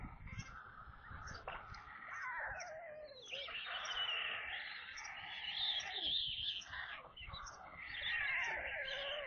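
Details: Evening feeding at a white stork nest in Kaluga region, Russia, 22 July 2022, 17:52, filmed by nest camera; the birds were brought a corncrake. Drawn-out, mewing wails that swell in the middle, with soft background noise.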